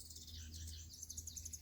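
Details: Several house wrens heard near a bluebird house on a nature hike: high, thin chirps, then a quick run of bright repeated notes, about ten per second, over a low steady hum.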